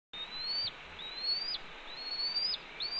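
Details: Red-tailed hawk at a Cornell nest on 28 April 2013, mid-morning, scolding its mate as a branch is delivered; thin whistled notes slide upward then snap sharply down, about once a second, over steady background hiss.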